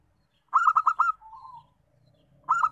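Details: Local zebra dove: a fast run of about five bright, rolling coos, a softer trailing coo, then the next burst starting after a short pause.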